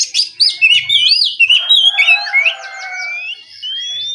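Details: Oriental magpie-robin (kacer) in relaxed ngeplong morning song: a fast tumbling series of looping whistled notes and trills, with a rough buzzy undertone midway, ending in a long steady rising whistle.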